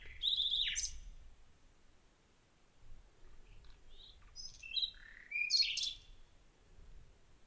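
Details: A common nightingale sings short, varied phrases: a rich rapid trill, then pauses broken by soft clicks and a few sliding whistles. The audio was added to April 2021 garden footage, where the bird was not heard singing.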